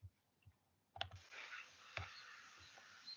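A common swift gives a harsh, drawn-out, hissing screech lasting about two seconds. Sharp clicks are also heard.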